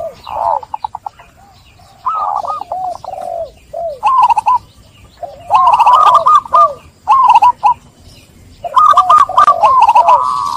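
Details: Lure song of zebra doves to get stressed, trap-caught birds cooing again; softer coos early, then louder phrases of rapid staccato notes and rolling coos that build toward the end.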